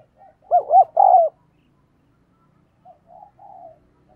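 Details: Spotted dove used as a decoy to fire up males. A loud triple-part coo phrase with bubbling first notes and a drawn final note, then a pause and soft low coos.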